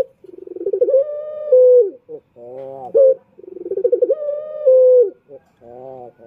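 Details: Male puter, a turtle dove in Indonesia, giving its lure coo: accelerating pulsed notes rising into a held low hoot, then a short dip, repeated twice in a steady rhythm.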